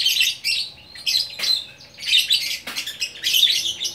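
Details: Unpaired fighter lovebird, Bukittinggi, West Sumatra, in gacor orkestra song: harsh, squeaky chatter phrases with a few sharp clicks, in uneven bursts.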